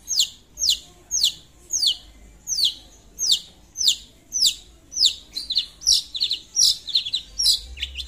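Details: Long-tailed shrike, a lively singing bird calling out to a rival: a steady series of sharp, high, descending whistled notes, about two per second, becoming quicker and more varied chattering toward the end.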